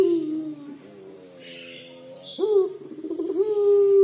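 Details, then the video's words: A 'crying' collared dove (puter pelung): one drawn coo fades away, then a fresh call leaps upward abruptly and stretches into a long level tone. "Suara Burung Puter Pelung Menangis"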